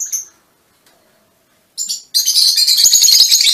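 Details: Pet Fischer's lovebirds of mutation varieties: two isolated shrill chirps after a quiet gap, then continuous harsh high chatter filling the last second and a half.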